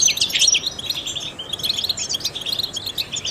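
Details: Trained European goldfinch singing to stimulate other songbirds: a fast, continuous, high twittering of bright chirps and short trills, loudest in the first half-second, then steady.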